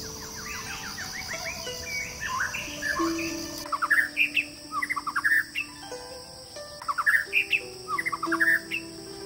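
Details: White-rumped shama song of varied fluty whistles, soft at first, then louder rising phrases repeated in groups of two or three notes, over a steady high buzzing background and faint sustained tones.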